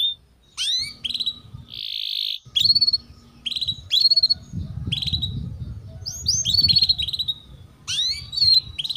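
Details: Canary song for tutoring young canaries: spaced sharp downward-sweeping chirps and short whistles over a low background rumble, with one brief harsh burst.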